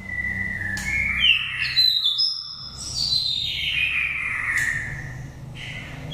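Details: Five-season oriental magpie-robin with a wild Dak Lak voice, used to stimulate or lure birds: long slurred whistles gliding upward then sweeping down, continuous and melodious, over a low droning background.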